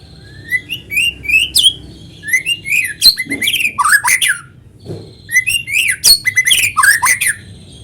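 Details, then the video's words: White-rumped shama singing vigorously, in a natural recording used to get other shamas singing: sweet rising whistles lead into harsh crackling flourishes, repeated in three energetic phrases with brief pauses. "PANCINGAN BURUNG MURAI GACOR SUARA ALAMI BIKIN MURAI BATU IKUT BUNYI"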